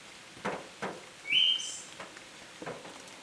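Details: Siberian thrush song from Tohoku, Japan, recorded 21 July 2020: one brief whistled note slides into a thin, high hiss, heard once. Soft thuds and taps sound before and after it.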